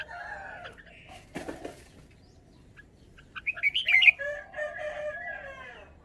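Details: Red-whiskered bulbul displaying its song style: a brief flutter, then a tight cluster of rapid, bright, warbled notes, with steady lower whistles from other birds behind it.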